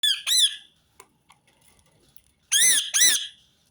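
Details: Rose-ringed parakeet giving harsh, harmonic-rich screeches in two quick pairs, one at the start and another after a near-silent gap with faint clicks.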